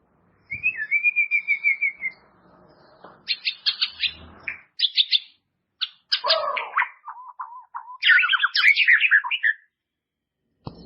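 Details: Training song of the white-rumped shama for caged birds: a rapid trilled whistle, then bursts of harsh chattering, low warbled notes and a dense, jumbled phrase.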